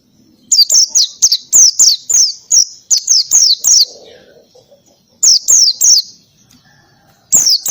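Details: Oriental white-eye in lively ngalas style with canary-like fill, used to tutor other birds. A long run of rapid, piercing high chirps is followed by shorter bursts of the same sharp notes after brief gaps.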